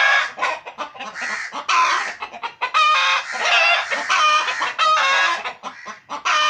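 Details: Home flock of pet chickens clucking constantly, a crowded stream of short raspy and nasal notes with occasional drawn-out squawks.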